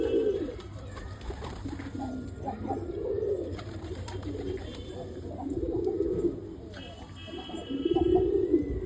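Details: Ghafuri pigeons, a fancy domestic breed, cooing in soft, low, rolling phrases that swell and fade every second or two.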